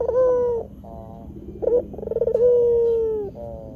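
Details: Barbary dove lure call for attracting wild doves and training caged birds: a long, low, falling coo, soft stepped notes, a short rising coo, then a rolling stutter into another drawn-out coo.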